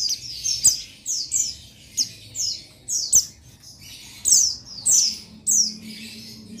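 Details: Male Oriental white-eye of the buxtoni form challenging a rival, dated 15 July 2021; sharp, high downslurred notes repeated steadily, about a hundred per minute, some run together in pairs.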